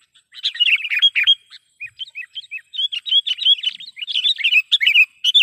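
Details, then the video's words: Sooty-headed bulbul lure call for attracting other bulbuls: lively, almost nonstop chattering of quick bubbly chirps and short whistled notes, loud and busy throughout. "panggilan pikat kutilang gacor"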